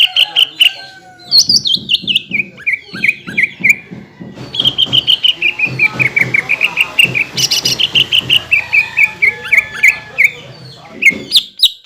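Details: Greater green leafbird singing to provoke other leafbirds into song: long runs of rapid, slightly falling whistled notes, repeated in phrases lasting several seconds, over a steady low rhythmic tapping in the background.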